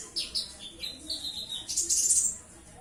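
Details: Konin, the purple-throated sunbird, a caged songbird noted for melodious mimicry; quick high chirps sliding downward, then a dense shrill twittering burst near the end.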